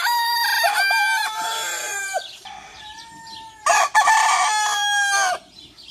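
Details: Rooster crowing: two loud, harmonic-rich drawn-out crows, each holding a steady pitch before dropping at the end, with clucking and other birds faintly behind.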